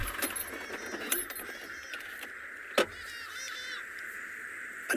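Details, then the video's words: Hadada ibis calling in the background while a guide watches storks in the Mara; nasal, honking calls with harmonic overtones, several notes over five seconds, with steady background hum and sharp knocks. "all the calls you're hearing are from the Hadada ibis."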